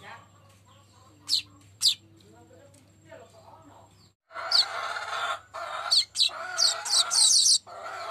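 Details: Golden-headed weaver in lively song, offered as a lure sound: two sharp high chips, quiet squeaks, then a stretch of dense raspy chattering broken by bright high chips, with a low hum early on.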